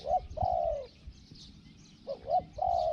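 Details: Spotted dove calling during decoy trapping: a short note and a long steady coo, a pause, then a short two-note lead-in and another long coo, over quiet low noise and faint high chirps.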